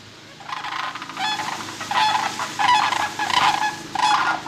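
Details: Sandhill cranes give loud, rolling, rattling trumpet calls as a warning at a person approaching them: about four harsh, vibrating bursts at roughly one-second intervals.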